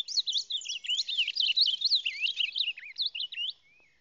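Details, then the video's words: Reina mora (ultramarine grosbeak) of the Salado in full song, a loud, rapid stream of high twisting whistled notes for about three and a half seconds, ending with a soft descending tone. "Reina Mora Del Salado Cantando"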